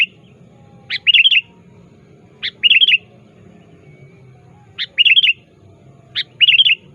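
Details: Sooty-headed bulbul calling a rival, recorded for use as a lure: four phrases, each a sharp rising note followed by a quick fluttering trill, spaced one to two seconds apart over low background hum.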